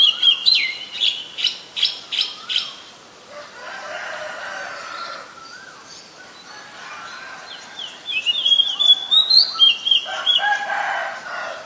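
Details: Oriental magpie-robin singing in the wild: a run of rapid repeated sharp notes, then a quieter stretch, then loud, jumbled whistled phrases with rising slides.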